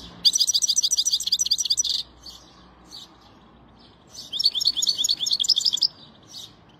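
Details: European goldfinch singing: two bursts of rapid, high, tinkling twitters and liquid trills, each lasting about two seconds, separated by a quiet pause.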